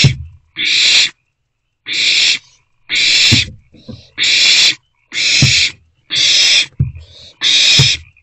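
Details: Three owlets inside a nest box, April 2024: a run of seven rasping, hissed shrieks, each about half a second, spaced at one-second intervals, with faint rustling and low knocks from movement in the box between them.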